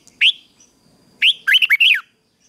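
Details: Red-whiskered bulbul kept for morning song training, singing a short fighting song: a single bright rising note, a pause, then a quick run of warbled, wavering whistles around the upper-mid range.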